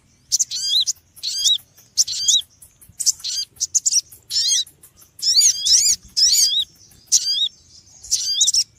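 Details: Small birds call noisily in repeated high chirping bursts, each ending in a looping hooked note. The calls come about once a second, grow busier midway, and have a quiet background.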